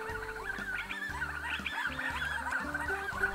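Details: A divided group of wild Grey-crowned Babblers in Australia comes in overhead, one half chattering to the other in quick, overlapping squeaky and upslurred notes, throats moving hard, over soft sustained background music.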